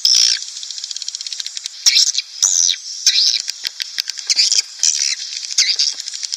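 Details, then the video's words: Swiftlet call used to attract colonies into a swiftlet nest house: a loud opening chirp, then soft rapid ticking and clicking, then repeated buzzy high twitters in short bursts. "SP Walet Klimax 2019"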